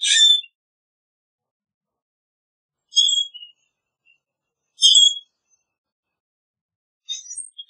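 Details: Scattered short squeaky and whistled notes from a common grackle. Four brief bursts come a few seconds apart, one with a falling tail, against a silent background.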